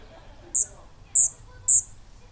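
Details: A 23-day-old Allen's hummingbird nestling, taking its first long perch on the nest branch, gives three very high, thin squeaky chips about half a second apart over a quiet low hum.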